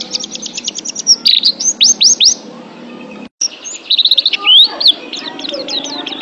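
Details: Pet oriental white-eye in a training recording: a quick string of high piping notes, a few upswept whistles, a brief cut to silence, then renewed twittering and trills.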